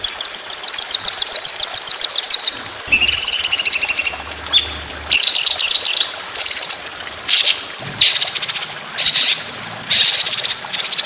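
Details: White-rumped shama song for training competition birds, built from long, speedy rolling 'tembakan' phrases. A rapid string of high chips gives way to harsh, buzzy, rattling bursts and whistled slurs separated by short pauses.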